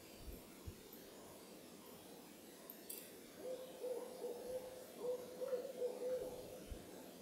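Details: Owl calling during moonrise at the Carpenter Mountain lookout, Oregon, USA; several seconds of quiet background with low bumps, then a fast series of soft, level hoots in the second half.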